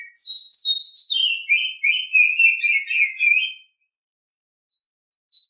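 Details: Morning song of an Oriental Magpie-Robin: high sweet whistles descending into a fast, busy warble of repeated chattering notes lasting over three seconds, then quiet with a faint final note.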